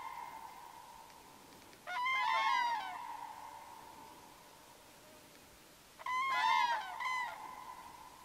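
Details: Common cranes, two pairs in a forest river valley calling to each other before meeting to trumpet together. Two bursts of loud, rolling, bugling calls about four seconds apart stand out over a steady hum and a noisy outdoor background.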